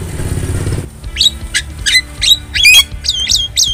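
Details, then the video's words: Javan myna in the wild: after a brief low engine-like rumble, a string of sharp, slurred whistles and squeaky notes, some doubled, delivered at about three per second. "Masteran Burung Jalak Kebo Jabo Jalbo Asli Alam Liar"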